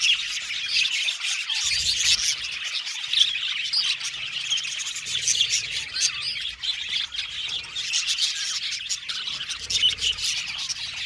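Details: Many Australian budgies in an aviary chirp and sing together: busy, scratchy high twittering with squawky accents and rapid chatter, rising and falling in intensity throughout.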